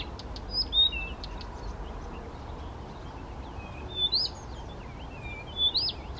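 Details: Male Blyth's reed warbler at a pond near Těchařovice, Czech Republic, June 2014, singing without playback: widely spaced bursts of bright rising and wavering whistles with thin twitters between them, against low steady background noise.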